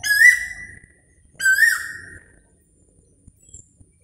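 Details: Two ringing upswept whistles from a koel, about one and a half seconds apart, each fading out slowly, followed by near silence with faint clicks.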